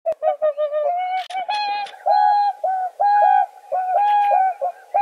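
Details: Swan calling: a run of loud, nasal, trumpet-like honks, each with a steady tone and rich overtones, given in uneven bursts of short and longer notes with no other sounds.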